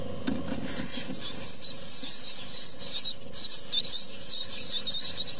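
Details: Great tit nestlings beg while being fed by their parents, in a continuous, very high, hissing chorus that swells and wavers without pause, with a brief low knock near the start.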